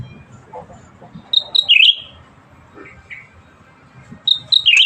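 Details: Actively singing Black-headed Bulbul: a short run of clear whistled notes ending in a wavering dip, a soft note between, then the phrase repeated.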